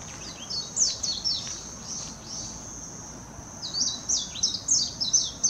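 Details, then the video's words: Warbling white-eye in Hashimoto, Wakayama, Japan, June 2021: a quick high warbling run, a short lull, then another rapid burst of sharp, downward-slurred twittering notes, accompanied by a faint continuous high whine. "メジロ さえずり 姿 鳴き声 warbling white-eye song"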